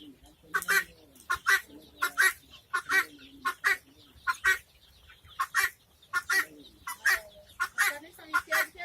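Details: Helmeted guineafowl give harsh, grating, buzzy notes in a loose, uneven series, about one every second, with softer, lower clucking sounds between them.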